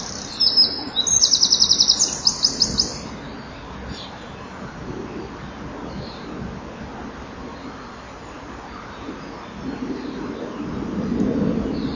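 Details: Common kingfishers at their nest on 12 July 2013, where a young bird produced a hefty pellet. Sharp, high rapid pulsed trills come in quick bursts during the first three seconds, then fade into low steady background rumble and faint hiss.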